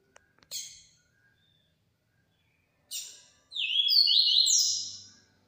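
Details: Yellow-bellied seedeater singing the 'transformado' style: faint clicks, then two harsh chips a couple of seconds apart, followed by a longer run of high, sliding whistled notes.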